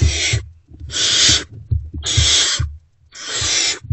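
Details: Owlets of the great horned owl, not yet fed, hiss as an adult returns to their nest box early on 3 March 2024. Four rasping, breathy hisses come in steady succession, with low bumping sounds underneath.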